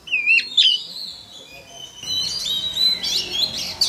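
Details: Male Oriental magpie-robin singing to prompt a young bird to join in: thin, high whistled phrases and twittering runs over a steady background hiss.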